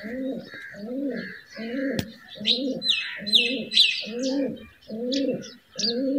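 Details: Pet white pigeons kept at a house, in a courting mood; low throaty coos pulse steadily about every three-quarters of a second, eight in a row, while small birds chirp and twitter brightly above.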